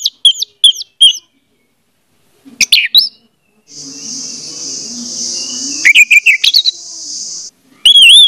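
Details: Orange-headed thrush song as a lure to make a silent bird sing: repeated bright whistled notes and short chirp bursts, with a steady high hiss running underneath through the middle.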